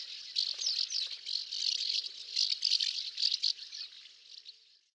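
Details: House martin giving a steady stream of dry, scratchy chirrups and rattling twitters that overlap for about four seconds and then fade, with no other clear sounds.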